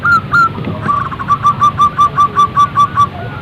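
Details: A zebra dove call meant to set other birds singing: two longer opening coos, then a steady run of about ten short, bouncy, whistled notes at a slightly lower pitch, roughly four per second.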